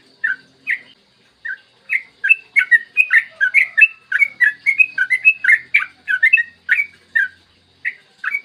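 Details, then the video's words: Yellow-vented bulbul in lively morning song, used to coax other bulbuls into singing: a few spaced liquid notes that speed into a long rapid run of chirpy, bubbling whistles, then slow again. "Masteran trucukan gacor ropel panjang cocok buat pancingan trucukan agar cepat bunyi dan ropel"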